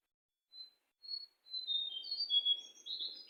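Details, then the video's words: Sooty-headed bulbul singing in the wild: a short high whistle, then another, building into a run of bright, slurred whistled phrases, with faint low rustling behind. "suara asli burung jongkangan di alam liar"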